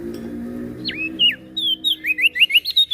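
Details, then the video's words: Lively prenjak daun (prinia) from NTB, Lombok, said to sing morning, noon and night. Two or three dipping whistles lead into a fast run of about ten bright, rising chirps. A low hum underlies the song. "Prenjak Daun NTB Gacor PAgi SIang MAlam Tetap Rajin Bunyi"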